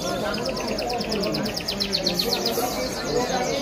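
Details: Goldfinch in Kabul, Afghanistan, giving a fast series of high, bright chirping notes in an evenly repeated trill, with murmuring human voices and background noise beneath.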